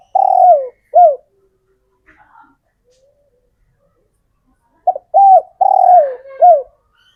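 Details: Captive male spotted dove, taken from the wild, cooing to call females: a rough falling coo and a hook-shaped note, a long silence with faint sounds, then a fuller phrase of short notes, a long descending coo and a closing hook.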